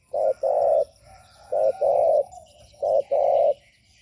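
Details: Spotted dove call meant to provoke rival doves, three evenly spaced phrases of a brief coo then a longer held coo, steady and low-pitched, repeated roughly every 1.3 seconds in quiet surroundings.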